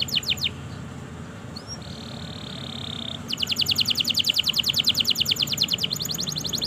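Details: Canary song for prompting non-singing and young canaries: a few sweeping notes, a steady held whistle, then a long quick trill of repeated strokes with a slight change of pace near the end.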